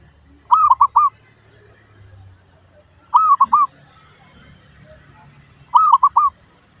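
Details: Zebra dove (perkutut) lure song aimed at getting other doves to reply: three evenly spaced phrases, each three arched, soft coos, repeated about every two and a half seconds over a low hum.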